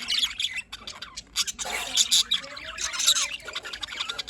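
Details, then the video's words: Morning calls of budgerigars in Larkana, Sindh: a busy mix of scratchy warbling, chirps and squawks from many birds, coming in uneven bursts with brief quieter gaps. "Budgies birds morning Sounds"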